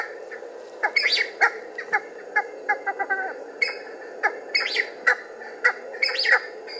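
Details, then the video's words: Calling cheer pheasant emerging from cover, giving loud squawking notes in uneven series, a few sharp upslurred cries standing out, with a constant murmur of background noise. "Calling cheer pheasant coming out of cover"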